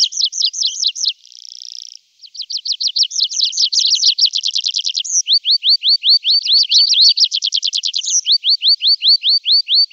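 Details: Full tree pipit song in summer: fast repeated chips, a buzzy trill, a dense rapid rattle, then repeated upslurred whistles and a final run of clear rising notes, with nothing else audible.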